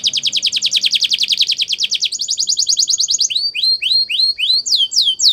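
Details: Spanish Timbrado canary delivering a training song: a long even rapid trill, a second slightly faster trill, then widely spaced downward-sweeping whistles ending in higher curled notes.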